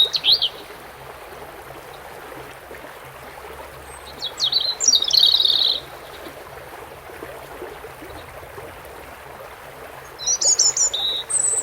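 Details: European robin singing beside water: two or three brief, thin, high warbled phrases separated by long pauses, over a steady hiss of running water.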